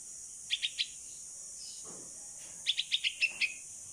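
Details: Fledgling bulbul (Pulangga), 16 days old and kept after falling from its nest, calls for its mother while learning to fly in the open. Three clipped chirps, a pause, then a run of six, the last notes dropping lower.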